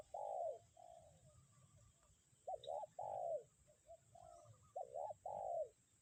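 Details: Cooing of a spotted dove decoy, kuk 1 style, in strong wind. Each phrase opens with quiet low notes, then a doubled coo and a long slurred falling coo, repeated every two to three seconds.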